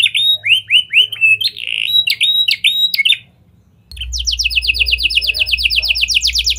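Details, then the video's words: Canary singing in a lovebird and prenjak imitation style, used as a lure to make other canaries sing long. Looping whistles break for a short pause before a fast, even rattling trill over a low hum. "Kenari Gacor Cengkok Lovebird & Prenjak! Ampuh Buat Pancingan Kenari Lain Agar Gacor Panjang"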